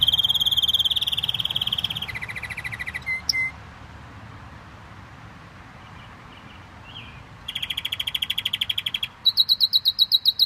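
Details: Canary song with a long high rolling trill, a lower fast trill, then a pause of several seconds before another quick high trill and a rising sharp series; steady low background hum.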